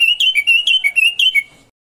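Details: Common bulbul (Pycnonotus barbatus), known in Morocco as al-watwat, singing for a captive-bird song-training recording: about a second and a half of loud, rapidly chained fluty notes with rolling up-and-down inflections, then quiet.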